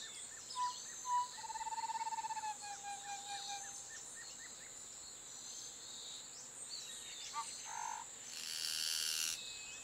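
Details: A Niceforo's wren (Thryophilus nicefori), a critically endangered Colombian endemic near Soatá, gives two clear whistles, then a rapid, rolling trill and a few falling notes, with a steady high insect drone, other birds and a brief rustle after.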